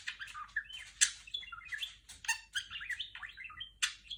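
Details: Indoor female budgerigar copying R2-D2's Star Wars bleeps: fast run of twittering whistles, buzzy clicks and bright pitch-sliding notes, with sharp loud chips near the start and the end.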